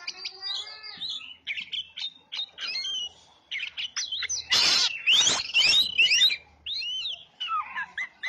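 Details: Oriental magpie-robin singing as a bird-attracting lure: choppy bursts of high whistles and chirps, separated by brief gaps, with a loud broadband rushing noise in the middle before the whistled phrases resume.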